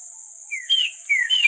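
Northern bobwhite giving two quick clear whistled phrases, each a lower slurred note then a higher one, over a steady high insect hiss.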